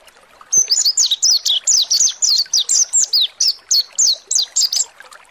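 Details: Mountain white-eye (pleci monty) song meant to provoke birds to sing and open their beaks: a long, brisk series of high, downslurred whistles, roughly four per second, steady and loud over five seconds.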